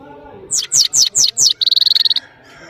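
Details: Powerful song of a European goldfinch, the saira of Parachinar: five sharp, high, descending chirps followed by a fast, even buzzy trill of rapid ticks.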